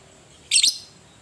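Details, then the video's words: Fighting lovebird call aimed at agitating other lovebirds, ngetik and ngekek style: a single shrill, buzzy double chirp, very high and brief, against a quiet background. "PANCINGAN LOVE BIRD PETARUNG NGETIK NGEKEK - Bikin semua jenis Lovebird langsung emosi"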